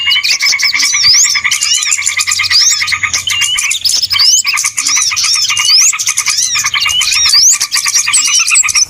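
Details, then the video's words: Small birds heard on a trapping lure recording, a crowded, busy mass of high chirps, upward-sweeping whistles and twitters from many birds, unbroken throughout, with a faint low hum beneath. "SUARA PIKAT BURUNG RIBUT ANTI ZONK"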